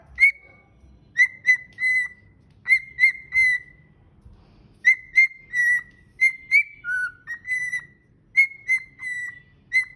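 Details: A cockatiel (Nymphicus hollandicus) whistles a song of clear, steady notes in short repeated phrases.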